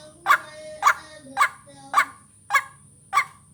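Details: Six harsh, throaty croaks from a white-breasted waterhen, spaced evenly about half a second apart, from a luring and vocal-training recording. A faint steady whine runs through it.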